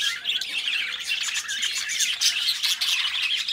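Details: Budgies, a pet pair, chatter and warble in a thick stream of twittering squeaks. Several thin whistled notes break through in the second half.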